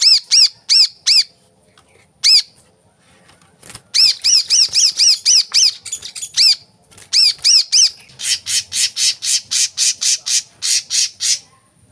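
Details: Kolibri kelapa sunbird in a lure recording for caged birds: loud arched high chirps in short bursts with gaps, ending in a fast, harsh, buzzy series of rapid notes.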